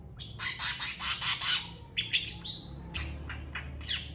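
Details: Long-tailed shrike master song meant for training other birds, delivered as a quick run of harsh, scratchy chattering notes with a few thin high squeaks, in busy bursts over about four seconds.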